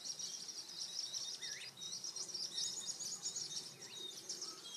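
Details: Varied sittellas in the Capertee Valley, Australia, filmed during their nesting period from eggs to fledglings; a steady stream of thin, very high chattering notes, with a few brief lower upswept chirps mixed in.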